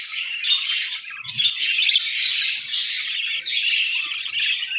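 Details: Budgerigars kept for breeding in winter chatter together in a dense, continuous warbling chorus of overlapping chirps and squawks, with a brief low thump near the middle.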